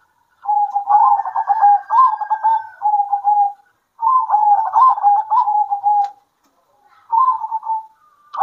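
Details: Local zebra doves answer one another at midday in long, vigorous runs of rapid, bubbling coos. Two extended phrases of about three and two seconds are followed by a shorter one. No other sounds.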